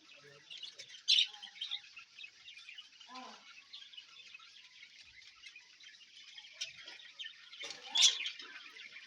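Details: Budgerigar colony in a breeding house after cleaning, with fresh food and water: a faint background of high chirps and chatter from many birds, broken by a few sharper louder squawks near the start and end, and a low voice midway.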